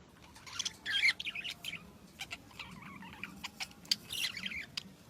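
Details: Birds chirping in the morning among flowers: scattered short, high chirps and quick twittery notes in brief bursts, with quiet gaps between and a low steady hum underneath.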